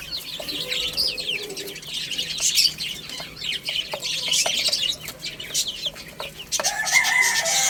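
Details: Chicks playing and eating chirp in quick overlapping high peeps amid frequent clattering and tapping, with a brief higher, more tonal call near the end.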